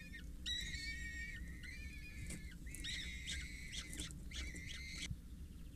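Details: Peregrine falcon chicks, four youngsters aged 6-8 days, at a water tower in Scheveningen on 8 May 2023 while a parent feeds them: drawn-out, thin whistled squeals in short bursts, some overlapping, over low background rumble.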